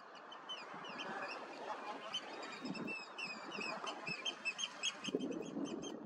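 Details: Eurasian oystercatchers dance in a group to win a partner, and some fight, the older biting the younger. A continuous excited chorus of shrill, rapidly repeated piping calls fills the scene.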